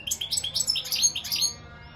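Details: European goldfinch delivering a brisk run of bright, twittering and buzzy notes with thin whistles mixed in, trailing off after about a second and a half.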